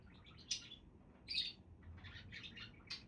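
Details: Budgerigar calls: a few sharp, bright chirps followed by a run of softer warbling twitters, irregular in timing.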